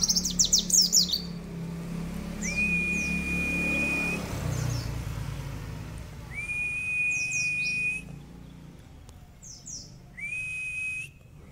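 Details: A mountain white-eye (Zosterops montanus) sings long, level, drawn-out whistled trills about every four seconds, each with quick high chirps before it, over a low rural background rumble.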